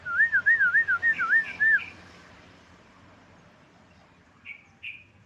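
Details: Yellow-vented bulbul song used as a lure to stimulate other birds to sing: a rapid run of wavy, warbling whistled notes lasting nearly two seconds, then near silence broken by two short chirps near the end.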